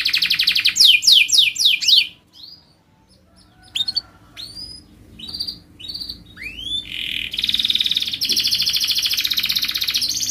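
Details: Canary training song meant for young canaries learning to sing: fast high chirps sweep downward, then a short pause, scattered rising whistles, and a long tight buzzy roll held to the end.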